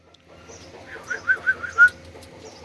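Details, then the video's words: Talking parrot giving a quick run of five short, throaty, voice-like syllables in the middle of the clip, the last the loudest and longest, over a low steady background hum. "parrot Talking بولنے والا طوطا Talking parrot"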